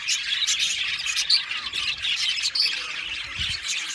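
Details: Aviary colony of budgerigars, many birds calling at once; steady busy chirping and scratchy squawks with a few clear whistled notes rising above the chorus.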